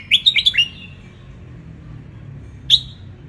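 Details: Red-whiskered bulbul, Ratchaburi wild type in Thailand, song for teaching young birds. A short, lively phrase of five clear, warbled notes is followed after a long pause by a single sharp chirp.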